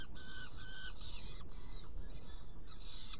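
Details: Saker falcons in Hungary, 16 June 2018, prey delivered and two young being fed: a few long, strained, rasping screams with short gaps between them, set against a continuous deep rumble.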